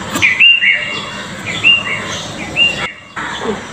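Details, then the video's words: A house sparrow enjoying the rain gives short, bright chirps in loose pairs about once a second, over a steady hiss of rain. "Rare moments of sparrows."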